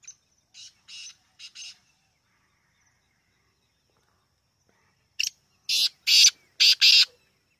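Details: Black francolin, known locally as kala teetar, calling: a faint run of four short harsh notes, then after a pause a loud phrase of one sharp note followed by four grating, buzzy notes in quick succession.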